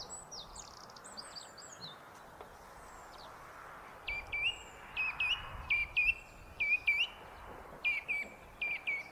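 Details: Song thrush singing on a foggy day: after a quiet start with faint high chirps, a short whistled phrase with a sharp upturn is repeated about eight times in quick succession over a soft background hum.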